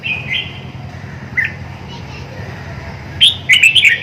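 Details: Red-whiskered bulbul with soft, scattered whistled notes at first, then a loud, rapid burst of sharp chirping song notes near the end, over a low constant hum.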